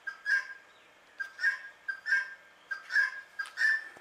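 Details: Calm Indian ringneck parakeet voicing sweet, clear double notes, a quick short pip followed by a longer bright call, repeated roughly every half to three-quarters of a second with small pauses between.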